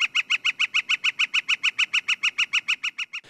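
A Northern Flicker's rattle: about twenty loud, ringing notes at a steady six per second, even in pitch and strength throughout, with no other sounds.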